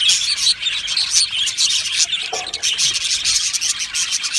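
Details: Australian budgerigars in an aviary colony, singing and chirping: a dense, continuous chorus of high, overlapping chirps and scratchy warbles with no pauses, many birds calling at once.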